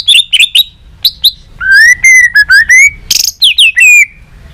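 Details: White-rumped shama singing in competition with tail flicking, many voices; quick high chips, then a sequence of loud, steady, slightly rising whistles, a harsh buzzy note, and descending slurred whistles.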